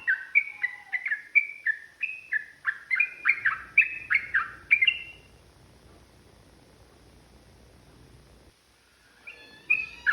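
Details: Provoking lure song of a yellow-vented bulbul in long ropel style. Rapid warbled whistles run for about five seconds, then a quiet gap follows before a brief, louder burst of notes returns at the end.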